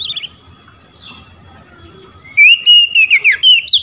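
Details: Oriental magpie-robin calling out to rival magpie-robins, which reply: faint whistles at first, then a loud, quick series of clear sliding whistled notes.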